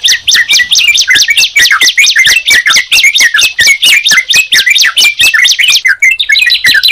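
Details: Sunda pied chat and yellow-vented bulbul heard together: fast, steady run of sharp, slurred chirps repeated over a continuous buzzy high trill.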